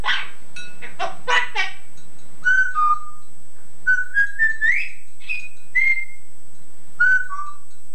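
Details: Yellow-naped Amazon parrot, a male household pet, copying his owner's singing on an aged cassette: opens with several loud harsh bursts, then a tune of clear sustained notes, some stepping and gliding upward.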